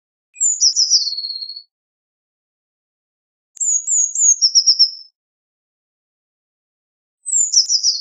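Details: Eurasian blue tit repeating its song three times over eight seconds, each phrase a high thin opening note sliding into a quick descending trill, separated by pauses of about two seconds.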